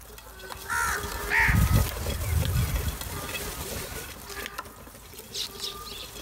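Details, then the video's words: Crows giving loud calls while fighting over food: two short harsh caws early on, then a low rumbling outdoor background with scattered faint clicks and distant noises. "Crows make loud call"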